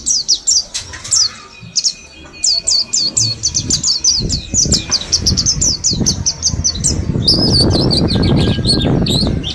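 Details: Bulk-caught mountain white-eye from Mount Slamet, ten days into learning to sing wild-style, delivers a fast string of sharp high chirps repeated in runs, then wing flutters and rustling noise swell underneath.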